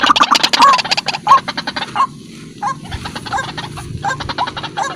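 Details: White-breasted waterhen lure call: a fast burst of harsh repeated notes with hooked inflections, a short lull, then more clipped, hooked phrases.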